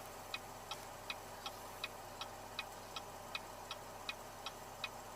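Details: Steady mechanical ticking, about two clicks per second, over a low constant hum.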